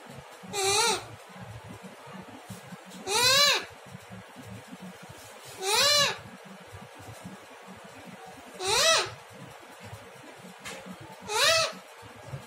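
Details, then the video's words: Pet parrot at morning breakfast calling "Maa": five nasal, rising two-part calls, each about half a second long, repeated roughly every two and a half seconds over a low background hum. "Mithu calls Maa.. maa..."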